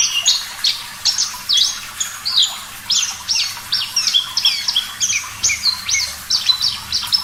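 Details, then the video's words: Singing Javan bush lark, recorded as a master song for caged songbirds: dense, scratchy high chirps and buzzy notes mixed with short whistles, steady bursts through the whole stretch with a faint hiss behind. "Masteran Branjangan Parva Gacor Suara Jernih"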